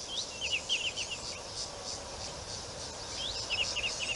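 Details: White-faced whistling ducks at Rosie's Pan waterhole, 25 November 2020: clear whistled notes in quick pairs and triplets, a burst at the start and another near the end, with a continuous high insect drone behind.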